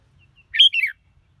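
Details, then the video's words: Red-whiskered bulbul delivering a clear whistled phrase, a strong upslurred note and a warbling descending tail, preceded by two faint thin whistles and with light low rumbling beneath. "Chào Mào Hót Hay Nhất"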